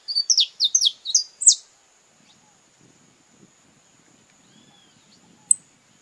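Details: In a courtship ritual, a saffron finch from Brazil gives a short fast phrase of bright descending chirps, followed by near silence with soft low rustles and one sharp high tick.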